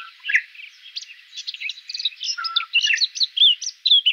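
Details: Red-backed shrike singing in central Brabant, Netherlands, a rapid scratchy warble of mixed chirps, clicks and short whistles, varied and unbroken, with no other clear sounds.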